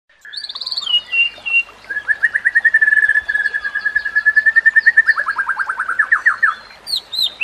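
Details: White-rumped shama song, a training recording for other shamas, set with nature sounds and trickling water: high whistled notes, then a long fast run of even chipping notes, ending in quick descending trills.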